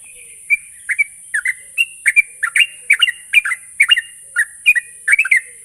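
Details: Lure recording of a sooty-headed bulbul meant to set another bird singing rapidly (ngropel): quick chirpy, liquid notes, some paired and doubled, rising and falling, delivered in a lively chatter with faint background hiss.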